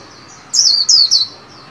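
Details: Caged white-eye in song training, new year 2021: three quick, loud, high slurred notes falling in pitch within under a second.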